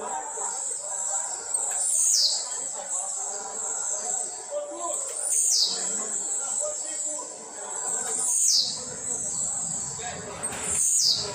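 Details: Blue-black grassquit training its song at home: four short, buzzy, downward-sweeping notes spaced about three seconds apart, each a sharp high burst, over a continuous high hiss and faint background noise.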